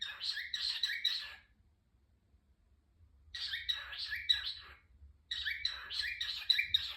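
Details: A pet cockatiel gives bursts of scratchy, rapidly repeated chirping notes, pausing between each outburst.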